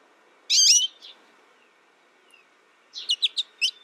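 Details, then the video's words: American goldfinch giving a loud, buzzy, wavering high note, a soft follow-up chirp, then after a pause a quick series of high twittering chirps. "American Goldfinch Sound"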